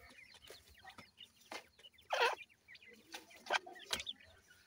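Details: Grey francolin chicks feeding: many short, high rising peeps overlap in a steady chatter. Several loud, broad rustling or clattering bursts stand out, with the strongest near the middle.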